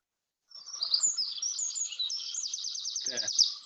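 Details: A Eurasian wren, a bird common across British mountain areas, sings a loud, high, rapid burst of sharp notes that runs into a fast rattling trill near the end, over faint low background noise.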